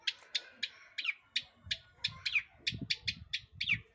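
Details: Long-tailed shrike singing as a lure to set off other birds: regular sharp, high notes roughly every third of a second, some ending in a downward slur, over low rumbling thumps.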